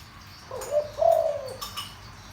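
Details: A spotted dove's deep coo to stir decoy birds: a soft rising lead note, then a loud, sustained, gently falling coo, with faint higher background sounds afterward.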